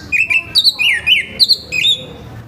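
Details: Orange-headed thrush in full morning song, a rough-voiced performance meant to prompt other orange-headed thrushes to sing: loud, varied whistled phrases jumping between mid and high pitches, with slurred, rising and falling notes in quick succession.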